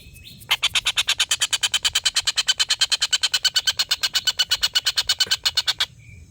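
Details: Long laughing call of a collared kingfisher, used to tutor competition songbirds: a sustained rattling chatter of several dozen loud, harsh, evenly repeated notes, roughly seven per second, lasting over five seconds before stopping abruptly.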